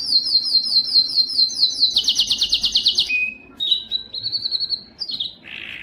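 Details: Canary song for prompting males to sing: rapid high repeated notes, a loud sweeping trill, then short flat whistles, brief high phrases and a final low buzzy burst.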